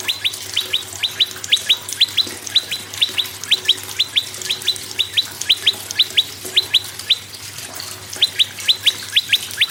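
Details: Energetic prinia song of bright, upswept whistles in doubled and tripled groups, repeated quickly and almost without a break, with a low steady hum beneath. Meant to get other birds to sing.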